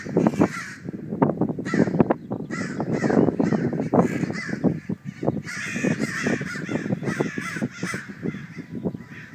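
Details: Several crows give alarm calls while driving off a hawk: harsh, loud caws repeated in rapid overlapping series. The calls jostle almost continuously for the whole stretch.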